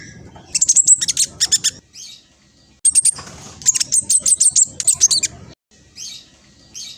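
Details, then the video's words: Speckled black sunbird in fast song used to lure replies from other birds: two bursts of very high, rapid stuttering chips, each lasting about two seconds, separated by short quiet pauses. "Kolibri blacksunbird trotol speed cepat semua burung akan ikutan nyaut respon"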